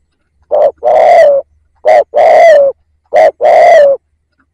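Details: Decoy spotted dove calling to draw in wild doves: three two-part phrases about every 1.3 seconds, a clipped low note then a sustained mellow coo that sags at the end, with a clean, quiet background.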